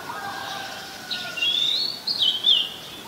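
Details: Oriental magpie-robin singing at Ubon Ratchathani, Thailand, 14 October 2021, recorded on a Nikon P1000: sweet, high whistled phrases with sliding notes, rising and falling, over faint lower background hum.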